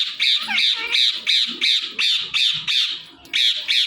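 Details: Indian ringneck parakeet, a pet talking parrot, screeching loud harsh squawks in an even series, about three per second, indoors.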